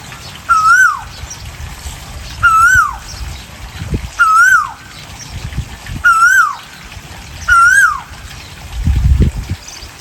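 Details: Singing Asian koel, male and female sounds, giving five loud whistled notes that rise then swoop down, spaced about every one and a half to two seconds, with soft low thumps in between.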